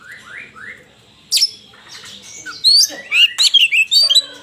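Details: Oriental magpie-robin in a fight: three soft rising whistles open, then a sharp note, and finally loud rapid phrases of ringing whistles and twisting notes.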